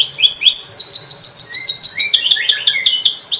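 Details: Young domestic canary lure song for teaching birds to sing: dense, fast rising trills and sweeping whistled notes repeated several times a second, continuous throughout.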